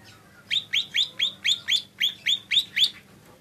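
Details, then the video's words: Lesser green leafbird giving ten evenly spaced, sharp, rising chirped notes, roughly four per second, high and clear, with only a faint low hum behind. "Suara burung cucak ijo mini"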